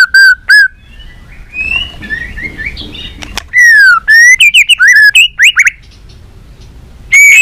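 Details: Varied song of a white-rumped shama meant to get shamas singing: clear level whistles, soft scratchy warbling, then loud alternating rising and falling whistled phrases, a short gap and a final bright whistle.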